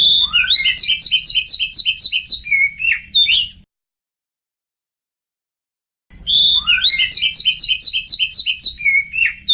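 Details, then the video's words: Oriental magpie-robin song played as a lure to draw replies from young magpie-robins: rapid series of sharp repeated whistled notes about four per second, broken by a silent gap of over two seconds before the same phrase resumes. "suara pancingan kacer bakalan"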